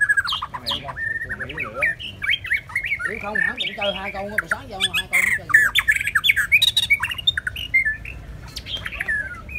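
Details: A white-rumped shama, one of two birds, sings loudly with a rich jumble of varied whistles, slurs and sharp squawky notes in quick, irregular bursts. Brief human voices are also audible.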